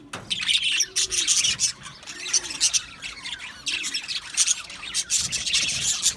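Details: Colony of budgerigars in an aviary, many birds chirping and singing together: dense, scratchy high chatter with short squawks, a continuous overlapping wall of calls.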